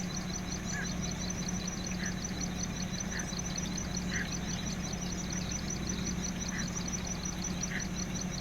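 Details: Male greater painted-snipe giving warning calls in his own territory at Da-an sea shore, Taichung City, Taiwan, on 6 April 2016, recorded with a handycam: soft low hoots about once a second over steady rumbling noise and a high insect-like buzz.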